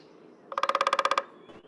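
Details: Downy woodpecker (Dryobates pubescens) drumming on a snag at the edge of Dyke Marsh, George Washington Memorial Parkway: a quick, even roll of about a dozen hollow, woody taps in under a second, its tone changing with the part of the wood struck, over a faint low hum.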